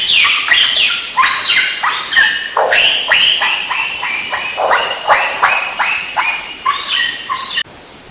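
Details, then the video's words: Lyrebird pouring out a fast run of harsh, squawky, buzzing notes, two or three a second and shifting in pitch, in one unbroken sequence, possibly mimicking a Channel-billed Cuckoo. "The lyrebird at exactly 4:06 may be mimicking a Channel Billed Cuckoo"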